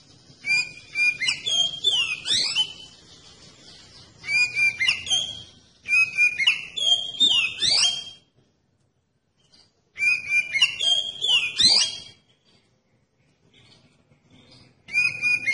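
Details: Oriental magpie-robin lure song, played to make other magpie-robins reply and sing: loud bursts of varied whistles, chattering notes and upward and downward sweeps, each burst about two seconds long, repeated after short silences.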